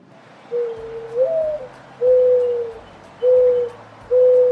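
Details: Mourning dove, a real recording played in a children's guessing game: soft, low, pure coos, each about half a second, repeated in a slow series of four notes, the first rising slightly, over faint steady background tones.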